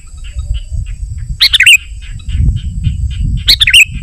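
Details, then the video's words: Two short, bubbly warbled phrases from a Sooty-headed bulbul, a song used to attract wild birds and tutor caged ones. Faint chirps sit between the phrases over steady low rumbling background noise. "Suara Burung KUTILANG GACOR Ampuh Untuk Panggilan Kutilang Liar dan Cocok Untuk Masteran"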